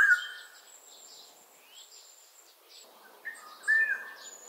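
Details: Black-naped Oriole with a rich whistled note at the start and a louder, looping fluty phrase near the end, over a steady background of high thin chirps from other birds.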